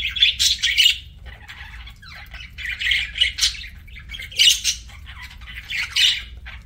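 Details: Pet parakeet chirping at mealtime: clustered grating squawks and warbled chirps in bursts of about a second, with pauses between, over a soft low hum.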